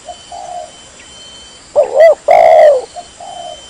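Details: Single loud spotted dove phrase meant to lure wild doves: two short rising notes then one sustained, slightly falling coo, with faint answering coos before and after.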